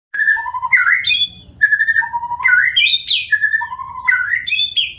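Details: White-rumped shama singing loud whistled phrases: a held note near mid pitch, a lower note, then rising upslurred flourishes, the same pattern repeated about every one and a half seconds in a quiet room.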